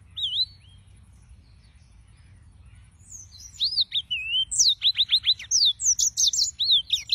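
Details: Singing yellow-fronted canary, Serinus mozambicus: a lone whistled phrase, a quiet pause, then a quickening burst of sweeping notes and a rapid series of sharp repeated chips.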